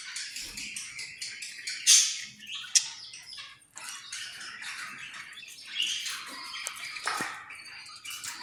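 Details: Australian parrot chattering in busy, scratchy squawks and clipped chirps, with two sharp louder calls early on and steady rough calling afterward.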